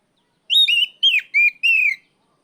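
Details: Oriental magpie-robin calling out a rival with four clean whistled phrases in quick succession, some flat and some sliding downward, on a silent background.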